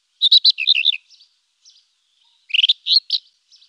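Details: Rufous-tailed scrub robin song: two bursts of rapid, varied chirping and warbled notes separated by a pause, with a few faint soft notes trailing after each phrase; quiet background.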